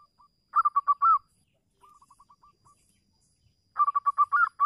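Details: Local zebra dove calling, used as a lure to prompt other doves to sing; bursts of soft rapid cooing notes near one pitch, a quieter run of short notes in the middle, then another cooing burst ending in a rising-falling note.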